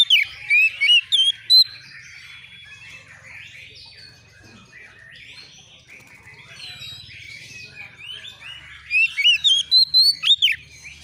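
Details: Young white-rumped shama, worked up and answering a rival, opens with a quick series of bright whistles, drops to faint scratchy warbling for several seconds, then bursts again into loud rapid whistled notes.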